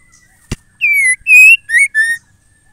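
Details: Female white-rumped shama calling to stir males into song: one phrase of four loud, clear whistled notes, some rising and some falling, after a sharp click, then silence.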